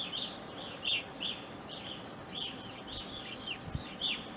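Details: Evening grosbeaks visiting an Ohio backyard into April 2021: loud, clear chirps, some sliding downward, repeated irregularly by a group, with one soft thump near the end.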